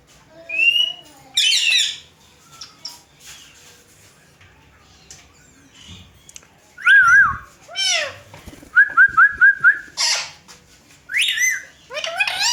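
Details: Pet Indian green ringneck parakeets, a family kept together, talking in front of a mirror: harsh screechy bursts and short whistles, a wavering whistled phrase, then a run of five quick repeated rising whistle notes, with quiet room noise between.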